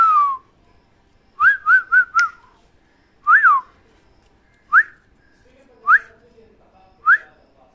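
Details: Parrot whistling short looping notes: a falling whistle, a quick triple of wavy notes, a double arched note, then three single rising whistles spaced about a second apart.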